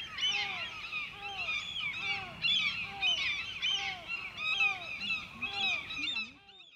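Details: White-tailed eagle, Grönvik on Ornö, 16 July 2024: a dense burst of high, arched yelping notes in quick succession, tapering off near the end into a few lower, wavering calls.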